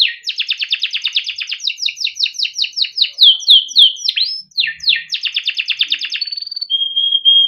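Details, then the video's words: ['A caged male yellow canary sings continuously: fast repeated chirps that become swooping notes, another quick trilled series, then a thin high trill and a pure steady whistle at the end.'] "burung kenari gacor PANJANG untuk pancingan kenari paud || masteran kenari - yellow canary singing"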